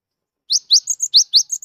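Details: Song of a wild-caught cinereous tit that sings readily, used to draw out silent tits: crisp rising notes alternating with short even whistles in a fast repeated pattern, eight notes in about 1.2 seconds, otherwise silent.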